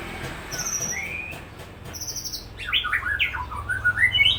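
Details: Supak-line white-rumped shama in rolling 'tembak' song: a high whistle and a rising slur, then a rapid, louder run of varied chopped notes that jump between pitches and climb toward the end.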